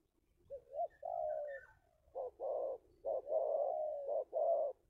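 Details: Local spotted dove giving its 'kuk 2' cooing call, played as a lure for wild spotted doves: a short rising note, then a long steady coo, followed by paired clipped coos and drawn-out hollow notes in a quiet room.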